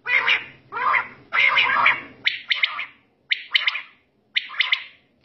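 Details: Night quail calls: several harsh, broad, rasping bursts open the recording, then three quick, sharp note groups follow, spaced about a second apart over quiet background.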